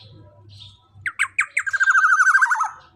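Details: Black-naped oriole youngster, described as jumbo-bodied with a loud voice and used to train other birds: three rough squawks, then a fast trembling buzzy trill easing lower in pitch, low hum underneath.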